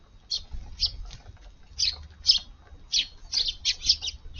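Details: Early-morning Eurasian tree sparrows at a garden breakfast spot on July 16, after rain had fallen. Irregular single and paired chirps, grouped more tightly in the second half, over a low rumble.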